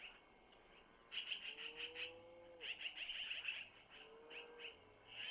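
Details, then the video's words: Begging from long-eared owlets at a Missoula nest as the mother, handed food by the male, feeds the young: short runs of harsh, high, pulsed notes, with a drawn-out lower whistled sound between them. "Mom takes from Mr to Feed Little Owlets -Long Eared Owl"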